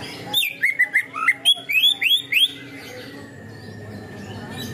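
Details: Cucak ijo, the greater green leafbird, in 'materi ngunci kenari' canary-locking song material meant to provoke other birds: about two seconds of quick, bright rising whistles and short slurred chirps, then a faint steady hum.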